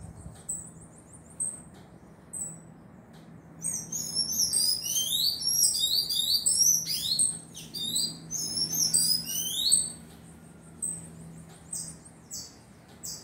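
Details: Young tanager fledgling giving very high, thin, rapidly repeated descending chirps in a dense burst through the middle of the recording, with faint high tones before and after and low background hum.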